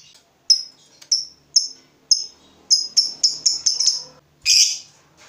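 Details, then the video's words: Fighter lovebird stirred up by the sight of a rival, uttering sharp high chirps, spaced at first then quickening into a rapid series, ending in a harsher burst. "Terpancing Emosi Begitu Lihat Lawan, Lovebird Fighter ini Langsung Narung"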